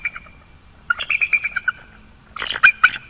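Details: Wild bald eagle at its nest on the northeast coast of Florida at night, October 2022, one of a mated pair: a faint note, then a quick run of high, thin piping chirps, and after a pause a second, louder burst of squeaky notes. A steady electronic whine sits underneath.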